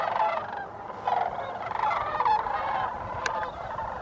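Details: Wintering flock of sandhill cranes, Bosque del Apache refuge, New Mexico, December 9, 2015, giving overlapping trilled, croaking rattles continuously, voices layered with rich harmonics and a sharp click late on.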